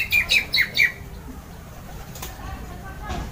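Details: Loud 'ngeplong' song of an orange-headed thrush that stirs other birds to sing along: four strong, clipped whistled notes in quick succession at the start, then fainter scattered sounds over low background noise.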